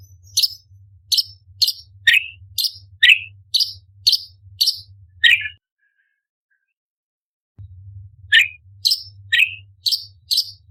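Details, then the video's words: Cucak cungkok, orange-bellied leafbird kept as a contest tutor, delivering a string of crisp chirps roughly twice a second, alternating high and lower pitched notes, with a silent break of about two seconds before the series resumes. "Cucak Cungkok Istimewa ~Tembakan Istimewa Pedas - Burung Masteran Lomba - Orange Bellied Leafbird"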